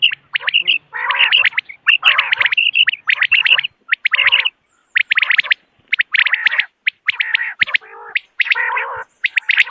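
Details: Common quail heard in the morning, recorded as a lure for hunting: long runs of rapid, sharp chirping notes in dense bursts, broken by short pauses, with some rougher nasal notes near the end.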